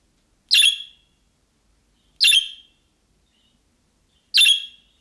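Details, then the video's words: Budgerigar giving calling-style calls like those of young birds, which make other budgerigars answer; three harsh, buzzy chirps spaced about two seconds apart, with silence between. "MUHABBET KUŞU SESİ Kuşunuz Bu sese Karşılık Verecek Kuş Sesi"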